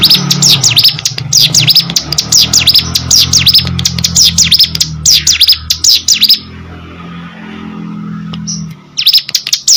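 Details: Kept hill prinia chattering energetically: quick, piercing, swooping chirps packed together for six seconds over a low background hum, then quiet before the song starts again.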